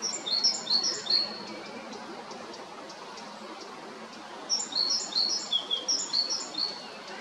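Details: At Jarun, Zagreb, Croatia, March to May 2022, a male great tit sings piercing, high two-pitched notes in rapid repeated phrases: one brief run at the start, a longer run after a silent spell, with a steady faint hiss beneath.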